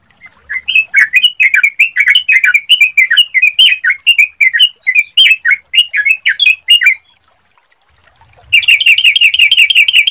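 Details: Sooty-headed bulbul song played as a clear-voiced lure to prompt other bulbuls to sing: a long string of warbled, slurred notes, a pause of over a second, then a fast, even chattering burst.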